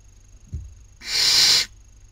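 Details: Barn owl owlet at a nest webcam in Cabañeros National Park, Castilla-La Mancha, Spain, 2019 breeding season, as owlets compete for food. One harsh, breathy hiss lasts about two-thirds of a second, with a soft thump before it and a faint steady whine behind.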